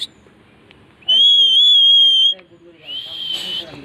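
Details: Pet parrot, said to talk in Bengali, gives a steady, clear whistled note lasting just over a second, then a shorter, rougher, noisier call; faint background noise throughout.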